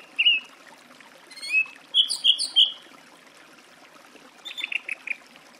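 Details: Song thrush song made of varied phrases: a whistled note, then a rapid run of high ringing notes, then a quicker burst of short, descending chirps.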